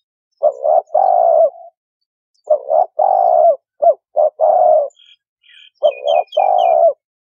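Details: Trapping-lure call of a spotted dove: repeated husky phrases made of quick double notes and long, level coos. Thin, high twittering from another bird briefly joins near the end.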